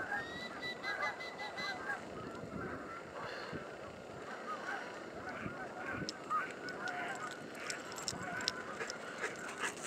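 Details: Thousands of Canada geese in a field and flying over along the Salmon River near Truro on a cold 22 March 2014 form a dense chorus of countless overlapping nasal honks, with brief louder calls standing out.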